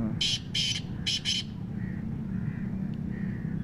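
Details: Black francolin giving a harsh, rasping call: four grating notes in quick succession, the first two paired and the last two paired, then quiet with a steady low rumble underneath.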